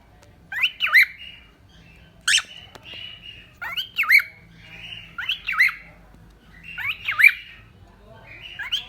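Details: A cockatiel utters harsh, wavering squawks every second or two, some with rough buzzy tails, amid a low background hum.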